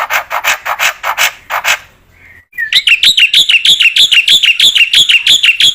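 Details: Black-winged myna in active song, used as tutoring material for other mynas: a series of broad raspy notes, a soft whistle, then a long rapid run of bright upswept chirps about three per second.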